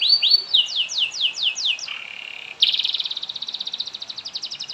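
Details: Canary in extended song, played to get other canaries singing: about six sweeping falling whistles, a low buzzy drone, then a bright fast trill that gradually fades.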